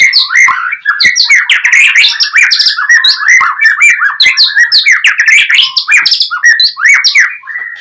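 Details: Oriental magpie-robin in gacor singing style, played to provoke a rival to answer: a dense, continuous jumble of varied chirps, slurs and harsh notes with no breaks, loud throughout.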